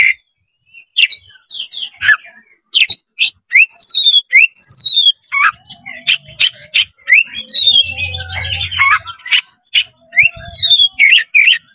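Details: Oriental magpie-robin (kacer) spreading its tail to challenge a rival: busy continuous song of falling high whistles, chirps and slurs, with a low humming noise in the background midway.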